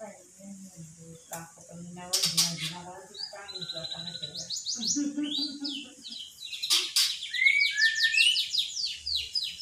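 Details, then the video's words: Magpie-robin in unedited footage calling "Pak Jokowi": low voice-like harmonic phrases and clicks give way to fast buzzy rattles and a dense run of sharp whistled downslurs. "Murai Ngocehnya panggil Panggil "Pak Jokowi""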